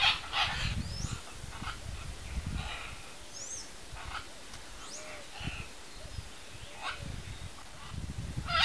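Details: A pair of Red-and-green macaws feeding on macaúba palm fruit in their natural habitat give harsh, raucous squawks at the start and end, with faint thin whistles from other birds and a low rumble between.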